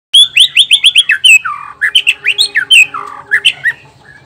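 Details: Male white-rumped shama of the black-tailed Nias form, a song used to provoke other males into singing for contests: loud, fast run of rising whistled notes, then varied sweeping and slurred phrases, ending more softly.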